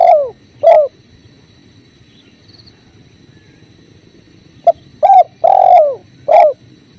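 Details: Spotted dove by a river: the end of one phrase with two falling coos, a pause of about four seconds, then a full phrase of short note, coo, long descending coo and final coo, over soft water murmur.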